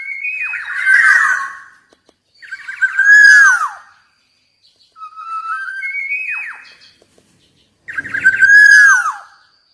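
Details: Black-naped oriole singing four separate phrases of rich fluted whistles, some rising then sharply falling, others level, with clean silent gaps of about a second between bursts.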